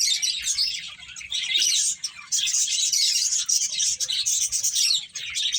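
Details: Finches twittering while playing, with dense high chirps, a softer stretch near two seconds, then a louder burst of overlapping calls.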